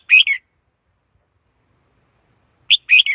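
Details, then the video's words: Red-whiskered bulbul uttering a rolling two-part warbled phrase, then a further chirp and phrase after a pause. "Tiếng chim chào mào"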